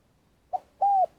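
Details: Spotted dove used as a lure in trapping: one brief soft coo followed by a single longer, nearly level coo, the start of another cutting in at the end.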